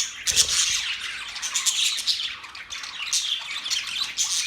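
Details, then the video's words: Parrots chattering steadily, a dense wash of high, scratchy chirps and squawks with quick bursts and short dips, no clear pauses across the stretch. "Parrot chirping sounds"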